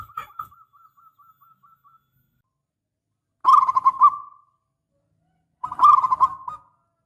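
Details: Local zebra dove, persistent singer, opens with a faint run of soft repeated notes, then delivers two full rolling coo phrases about two seconds apart.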